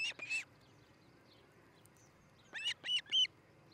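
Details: Nesting osprey at Charlo, Montana, recorded by a nest camera on a July 2018 morning: two loud piercing chirps, a pause of two seconds, then three more shrill whistled chirps in quick succession.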